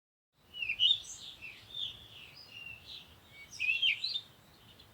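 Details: Birds chirping at sunrise in the morning: a steady stream of high, warbling chirps and twittering notes, with louder bursts near the start and toward the end.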